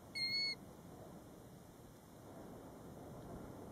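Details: A single pure, even-pitched whistle from a European golden plover near its roadside nest in Båtsfjord, Norway, taken from a car, followed by several seconds of soft background hiss.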